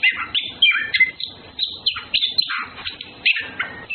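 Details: Orange-headed thrush, male and female courting, giving a rich, varied song of clear whistled phrases and sliding notes broken by short chirps, bursts coming every half second or so.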